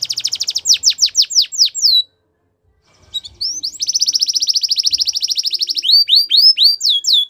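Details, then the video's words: Song of a Belgian canary, opening with quick descending swept notes, a short gap, then a long rapid rattling trill at steady pitch, ending in repeated rising-and-falling whistled sweeps. "Belgian Canary Singing"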